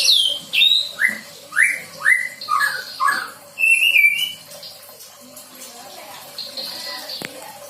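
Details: Young white-rumped shama, newly past the fledgling stage, learning song material: six loud rising whistled notes at about two-second spacing, a buzzy warble, then a quieter long trill and a sharp click.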